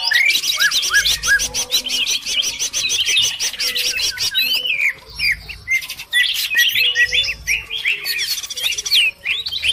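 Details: Lure calls of cucak ijo, described as noisy: fast, buzzy trilled chatter at first, then scattered sharp upslurred whistles and chips, several birds calling over one another with short gaps.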